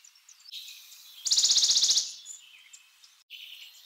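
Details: One fast, level trill of high notes from a Western Bonelli's warbler lasting under a second, overlaid by low rumbling noise, with softer high chirps before and after.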